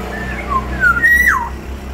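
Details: Close, loud whistle of a big-bodied Black-naped oriole from Sumbawa: gliding notes slipping lower, then a bright sustained tone breaking into a quick falling slur, with a steady low hum beneath.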